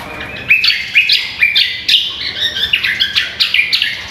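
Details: Greater green leafbird singing vigorously for songbird-contest training, with rapid bright chirps and downslurred whistles about twice per second in a busy, unbroken run.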